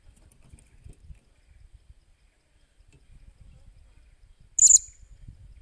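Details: Blue-crowned hanging parrot being trained as a decoy, recorded 28 July 2021: low rustling and soft thumps, then a single sharp, very high squeak near the end.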